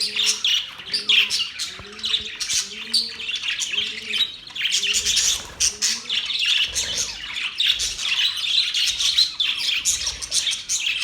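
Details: Budgerigars in happy chirping: a dense, continuous high chatter of rapid twittering and warbled notes, with a series of soft, low, arching tones repeated about twice a second during the first half.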